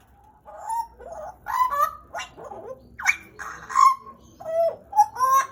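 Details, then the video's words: Pet pied butcherbird from Papua, Indonesia, kept roughly two years, gives spaced fluty notes, some dipping then rising, interspersed with harsher gurgles over about five seconds. "JAGAL PAPUA GACOR"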